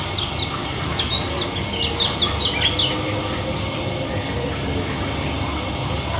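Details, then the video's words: Ngeriwik twittering from a Lombok white-eye (kecial kuning): a quick run of high, thin down-slurred chirps over about three seconds, then only a low steady hum and faint tone. "Terapi Pleci lombok kecial kuning ngeriwik speed rapat"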